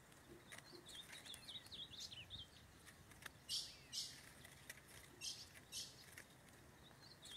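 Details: Free-living male ultramarine grosbeak (azulão) in forest, aggressive around a cage while mating with a female, gives a quick run of slurred, warbling whistles early on, followed by sharp clicks and rustling noises.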